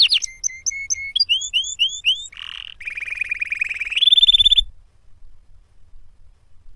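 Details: Canary song made of distinct tours: repeated short slurred whistles, a row of rising chirps, a brief buzz, then a rapid rolling trill and a higher sustained rattle, ending in near silence.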